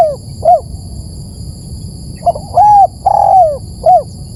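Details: Spotted dove calling for luring birds: a clipped coo, then a pause, then one complete phrase of short soft notes, a level coo and a long descending coo. A steady high-pitched hum runs in the background.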